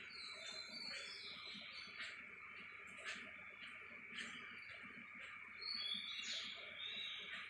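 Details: An Oriental magpie-robin singing at 04:44 am on 9 June gives varied, clear whistled phrases, some rising and some falling, over a dense steady hum of insects and other dawn birds.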